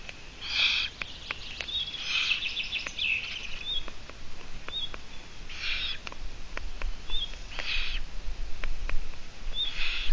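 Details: Eurasian eagle-owl filmed by a live camera in Latvia at midday on 17 June 2017, giving five rough, hissy rasps spaced about two seconds apart, while small birds whistle short notes in the background.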